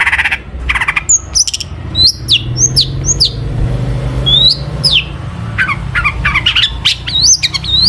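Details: Long-tailed shrike pouring out a mimicry-rich song to make other shrikes sing: dense mix of harsh bursts, swooping slurred whistles and sharp high up-flicks tumbling together without pause.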